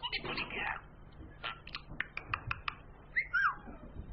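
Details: Pet female budgerigar chattering in a rapid, raspy imitation of human words such as "morning", then adding clicks and a short whistle.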